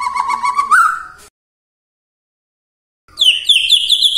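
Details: White-rumped shama morning lure song meant to provoke quiet shamas into singing: a lower warbled whistle rising at its end, silence of nearly two seconds, then a higher rapid trilling phrase.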